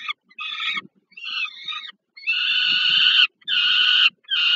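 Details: During a food delivery to a young Peregrine falcon at the Warsaw Żerań power plant nest, Poland, 15 August 2022, hoarse, buzzy wailing rises into long, steady screeches, with short breaks between outbursts.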